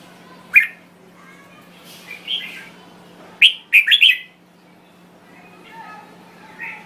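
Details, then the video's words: Red-whiskered bulbul of Thai origin singing scattered bright chirps and a quick burst of three or four warbled notes, then softer trailing phrases over a low constant hum. "Chào Mào Thái Lan Hót Cực Hay"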